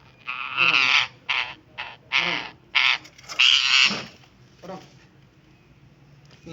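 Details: Indian ringneck parrot giving harsh, raspy screeching calls in about six loud bursts over four seconds, each burst broad and grating, followed by quieter trailing calls and a low background hum.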